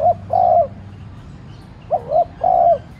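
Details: Spotted dove used as a lure, cooing to draw calls from other doves; a held coo, then a full phrase of a quick double coo and a longer soft coo.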